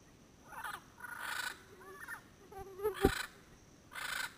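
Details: A pair of highly endangered Yellow-headed Parrots calling noisily from Caribbean pines at sunset near a ranger station, Payne's Creek National Park, Toledo District, Belize, late January 2012, about 100 yards away; harsh, raspy squawks in several bursts, one lower nasal note.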